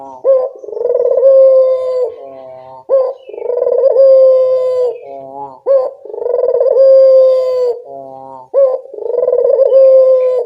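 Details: Collared dove (local puter) cooing used as a lure so birds respond: four rounded, resonant coo phrases, each opening with a short rising hiccup and holding a long level tone before fading.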